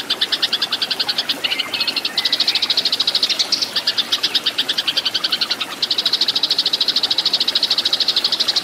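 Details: Tree sparrow, Eurasian, in fighting song intended for training cage birds; long bursts of fast, shrill chirps, a couple of short breaks and a lower slurred note, then a dense rattling finish.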